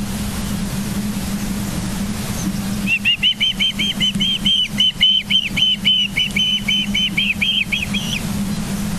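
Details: At a nest in Charlo, Montana, on the morning of 24 August 2023, an osprey breaks into a run of sharp, piping chirps after about three seconds of low hum. It repeats them quickly for about five seconds, then stops.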